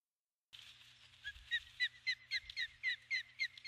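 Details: Female Osprey on her nest at dusk on 21 July 2015, calling for her mate, who does not come. A rapid series of short, sharp whistled chirps, about four per second, growing louder through the clip.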